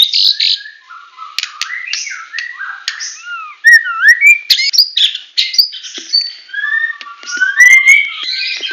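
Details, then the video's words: White-rumped shama of the Medan type singing a full 'tembakan' performance: rich fluting whistles, low swooping notes, clicks and quick chattering bursts, varied phrases flowing almost without break. "Murai Batu Medan Full Tembakan"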